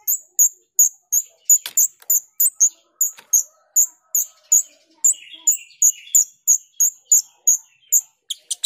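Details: Female grosbeak starling (jalak rio) calling as a lure: shrill, very high piercing notes repeated about three times per second in a steady chattering series, with a brief lower buzzy phrase near the fifth second.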